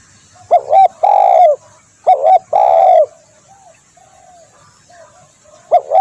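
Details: Spotted dove, or tekukur, recorded as a lure: a clipped two-part note followed by a long, rich coo, given twice in quick succession, then soft faint coos and a third phrase beginning at the end.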